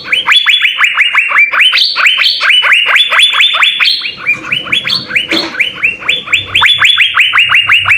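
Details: Asian fairy-bluebird singing persistently, a master recording for training songbirds: eight seconds of dense, unbroken rising whistles at a steady rhythm, some notes pitched higher, with a brief harsh burst midway.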